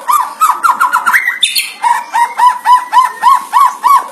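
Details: Oriental magpie-robin with loud song for luring other magpie-robins, including mimicry described as monkey-like; quick series of lower, squawky repeated notes, a brief high burst, then evenly spaced hoarse chirps about four per second.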